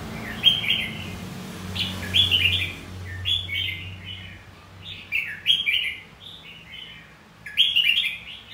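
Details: Red-whiskered bulbul delivering fighting song to stimulate singing: short cheerful warbled phrases of three or four notes, repeated about every second and a half, over a low steady hum.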